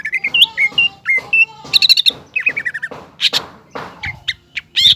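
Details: Green leafbird in full song, used to provoke a young speckled leafbird into an aggressive fighting mood. Varied whistled phrases with quick slurred notes, harsh chattering bursts and high sharp chips, delivered in rapid bouts.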